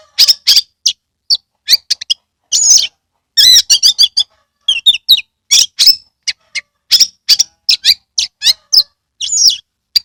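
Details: Caged Oriental magpie-robin from Kebumen, Indonesia, singing in lively gacor style with its tail spread: a rapid run of sharp, high chirps and whistled notes, some buzzy and trilled, in short bursts separated by brief pauses, with no other sounds.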